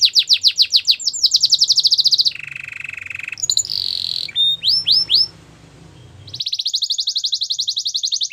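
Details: Canary song for training and wooing other canaries: rapid repeated notes and a bright rolling trill, a lower buzzy stretch, a few rising whistles, a near-silent pause, then another fast pulsed trill.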